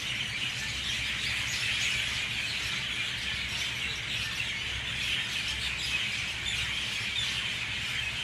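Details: Mynas in a full, loud dawn chorus at 6:20 a.m.: a dense, continuous wash of overlapping squeals and chatter from many birds, with no single voice standing out.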